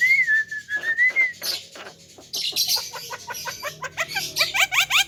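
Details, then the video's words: Tame Javan myna, described as able to talk and in full, lively voice, opens with a clear whistled wavering note. Dense bursts of harsh chatter follow, then a rapid run of short upward-sweeping notes. "BURUNG JALAK KEBO JINAK PANDAI BICARA"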